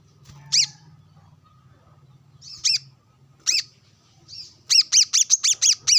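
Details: Brown-throated sunbird sunbathing and calling against rivals, with wild birds present. Isolated sharp chirps give way to a fast, even run of about eight piercing notes at the end.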